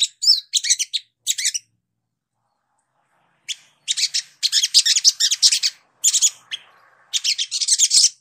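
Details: Brown-throated sunbird (sogok ontong), Indonesia, in clear song: bursts of scratchy, high, rapidly jumbled twittering, a pause of about two seconds, then longer dense chattering phrases.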